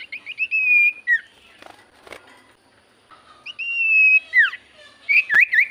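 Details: Javan white-eye song used as a lure to make silent birds answer: clear, high whistled notes, some rising and some falling, in quick short bursts, with a sustained whistle, a pause, then more whistles and sharp slurred notes.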